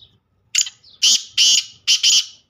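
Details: Black francolin (kala teetar) calling: a short harsh note, then a loud phrase of grating, buzzy bursts in quick succession, two of them doubled, ending the sequence.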